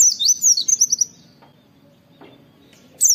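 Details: Oriental white-eye making "wit wit" calls in a training recording: an excited cluster of shrill downslurred whistles during the first second, then quiet, ending with one more sharp note.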